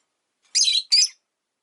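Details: Two harsh, high, buzzy chirps in quick succession from a caged rosy-faced lovebird, one of five pets near a window, vocal even in winter.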